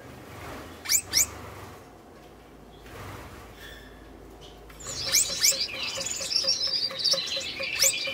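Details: Red-headed Gouldian finch male courting a female just paired for breeding: two sharp high notes, a pause, then a thin, hissing, buzzy warble full of quick high sweeps. Faint background hum.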